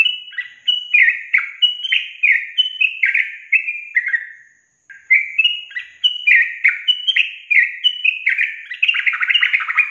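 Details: Yellow-vented bulbul (trucukan) singing a lure recording meant to make reluctant caged birds answer: two bursts of fast, chattering whistled phrases split by a brief pause, the second ending in denser, busier notes.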